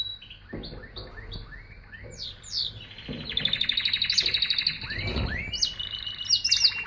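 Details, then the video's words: Canary song building from sparse chirps and sliding notes into a dense, fast buzzy trill with rising whistled phrases, over a faint low hum and a few knocks. "Singing Canary"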